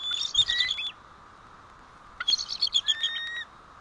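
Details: Two bursts of fast, high-pitched chittering, each about a second long and made of quick stuttering notes, from bald eagles alerting at their White Rock nest on 1 April 2012 when the male arrives before the female leaves.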